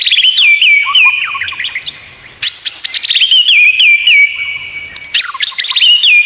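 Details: White-rumped shama (murai batu) tutoring song in the full 'isian tembakan' style, used to train other shamas: loud clear whistled phrases sliding down with fast trills, a quiet pause near two seconds, then bursts of high rising notes.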